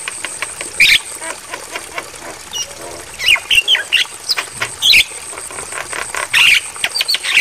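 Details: Javan myna (Acridotheres javanicus) song, used as a tutoring recording for mynas and suggested for playing at night: harsh, varied chattering bursts mixed with sharp whistled notes, in clusters every second or so over a steady high hiss.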